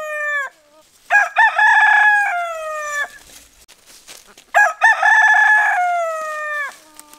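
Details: Crowing cockerel meant to rouse sleepers: the fading end of one crow, then two complete crows about three and a half seconds apart, each with choppy opening syllables and a long tapering final note.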